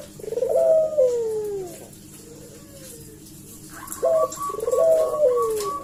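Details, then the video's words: Collared dove used as a lure call to provoke a reply: two rolling coo phrases, each rising sharply then sliding down into a drawn-out falling note, split by a quiet gap. A series of short, higher chirping notes follows near the end. "suara burung puter gacor ini pancingan nyaut"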